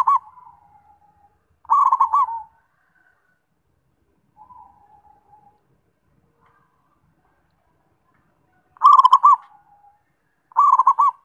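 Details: Zebra dove, its phrases of rapid rolling notes with a soft trailing tail spaced irregularly over several seconds, separated by long silences and one faint, quieter phrase.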